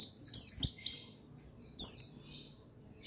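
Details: Buxtoni white-eye male song for stimulating white-eyes: two quick high phrases of thin, falling whistled chirps with a sharp trill, soft background hiss.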